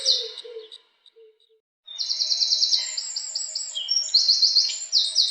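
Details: House wren singing: a short burst of high notes, a brief pause, then long, fast, bubbly trills of rapidly repeated high chips. The phrases shift in pitch and run together without a break. A faint low hum sits underneath.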